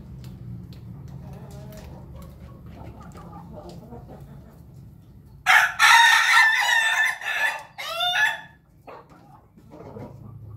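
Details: Red-combed rooster recorded on 20 May 2024, after a quiet stretch with faint background clucks, bursting into one loud, harsh, drawn-out crow with a rising start and a falling, broken ending lasting about three seconds.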